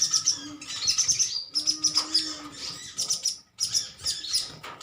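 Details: A colony of metallic-greenish sunbirds, nectar-eating birds, chirping at one another: dense bursts of thin, high sharp chirps overlap in rapid clusters, with a steady low hum underneath.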